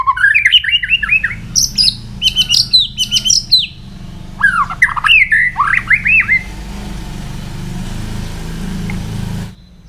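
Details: White-rumped shama singing in the morning for voice training: bursts of rich, rapidly varied whistled phrases with rising and falling slurred notes and sharp high chips, pausing between runs, over a steady low hum.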